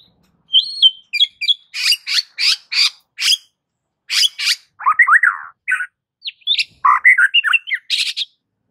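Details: Aggressive white-rumped shama fighting song serving as a training master, a rapid series of harsh high buzzy notes and whistled slurs, then lower warbled phrases and mixed chatter, delivered in short bursts with brief pauses.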